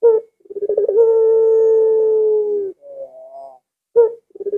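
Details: Collared dove in the puter pelung style, its long arching coo said to make other doves eager to join in. Bubbling notes build into a long level hum, then soft wavering sounds, and another short burst begins.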